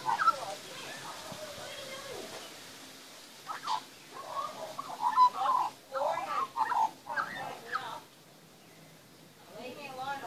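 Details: A young magpie in a backyard while being fed warbles in short bursts of varied, wavering mid-pitched notes, with a long slurred lower note early on and brief pauses between phrases.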